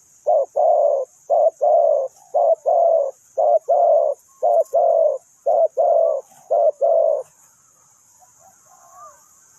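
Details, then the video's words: Decoy spotted dove used for ground trapping gives a steady run of two-part coos, a short note then a longer rolling croo, evenly repeated for seven seconds before falling silent. Faint high background hiss and a distant thin whistle follow. "นกเขาใหญ่สายต่อดิน,The Sound Of the dove"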